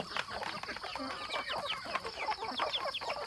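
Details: Rural chickens kept at home on a farm, many birds giving dense overlapping clucks and short rising chirps in a continuous busy chorus, a steady high hum running throughout.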